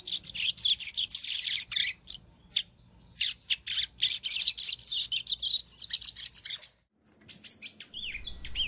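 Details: Double-collared Seedeater song from Brazil: a fast, nearly continuous stream of high, sharp twittering and buzzy chirped notes, briefly cut off near the end before resuming with a few more chirps.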